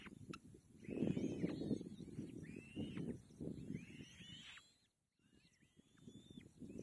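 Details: Young kite begging while its mother gives it food: clear whistled notes that rise, hold, then drop sharply, about one every second, with a brief silent gap and low crackling noise underneath.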